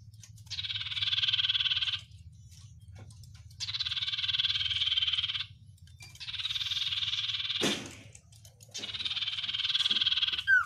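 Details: Oriental white-eye song, styled 'sirtu isian luber banyak pedes': four dense buzzing rattles of one to two seconds spaced by short gaps, a sharp click between, ending in a falling slurred note.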